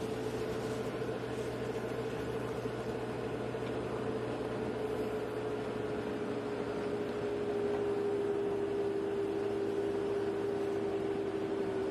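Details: A steady engine-like hum with a droning tone, no animal calls at all.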